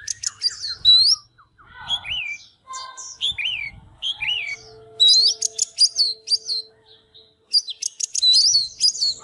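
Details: Oriental magpie-robin, fired up, singing and display dancing: loud clear whistled notes, many sharply rising then falling, given in quick bursts separated by short pauses, with a faint low tone underneath.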